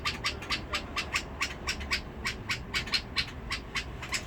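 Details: Bulbul from Basra, Iraq, of the Badrawi type, singing in a harsh voice: rough, buzzy notes struck about four times a second in a steady, chattering series, with a low hum behind.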